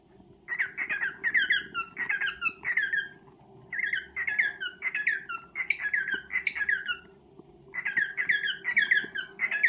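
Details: Courting male cockatiel singing to a female: almost continuous streams of squawky chirps and downslurred whistles with only brief pauses, above a low background drone.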